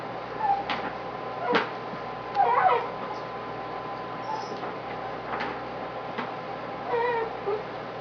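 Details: Frustrated pet male parrot on a hot, humid evening, 25 September 2011, grumbling while chewing a tough bully stick: short, mid-pitched tonal squawks and warbles scattered among sharp chewing clicks and cracks, in a quiet indoor room.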